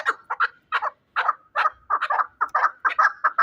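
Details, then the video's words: Shahritus fighting chukar from Tajikistan giving rhythmic, throaty chuck notes in pairs and triplets, gathering pace into a near-continuous chattering series over a quiet background. "Кабки Шаҳритус ҷангӣ"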